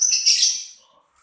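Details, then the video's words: A single loud, harsh, high-pitched squawk from a lovebird, fading quickly into quiet. "LoveBirt_Bunyi suara burung"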